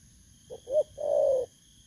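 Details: Spotted dove, a wild-caught bird in Vietnam, recorded 19 August 2024: two short low coos followed by one long, slightly falling hoarse coo, with a steady high electronic whine behind.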